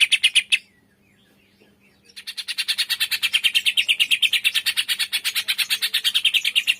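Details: Green leafbird, cucak ijo, in the rapid 'tembakan' style used to spur reluctant birds into singing. A brief burst of harsh notes, a second of near silence, then a long string of buzzy chattering notes repeated about three per second.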